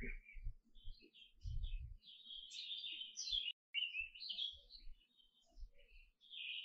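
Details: Canary singing a fast, continuous warble of high twittering and trilled phrases that jump between notes, with low thumping knocks underneath and a brief break partway through.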